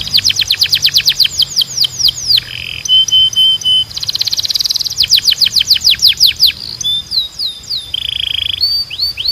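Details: Canary singing for training: quick trills of descending sweeps alternating with buzzy rolled passages and brief steady whistles, a continuous varied song.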